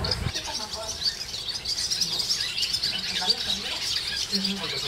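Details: Barn swallows in the Jewish quarter of Hervás, northern Extremadura, twitter in a busy chorus of high, rapid overlapping chirps and warbles, with faint human voices in the background.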